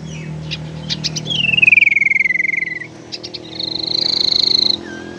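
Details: Tailorbird lure call with unusual variation, used for trapping and to stimulate silent birds: quick chips leading into a long rapid falling trill, more chips, then a high steady buzzing trill and a short slurred note.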